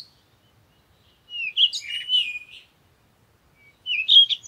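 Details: Parakeet giving a drawn-out, warbling chatter of squeaky and buzzy notes lasting over a second, then after a pause a shorter shrill chirping burst, in an otherwise quiet background.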